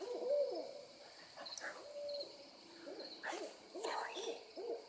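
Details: A group of owls calling excitedly, heard at moderate distance: soft bent hooting notes repeated in irregular runs, partly overlapping, with occasional faint clicks and rustles in the background.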